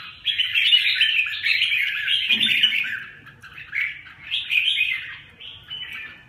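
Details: Two fighting Huế red-whiskered bulbuls, called 'bướm' and 'tê giác', give bursts of buzzy, rasping chatter and squeaky warbled notes, with a short low thud midway and quieter separate phrases toward the end.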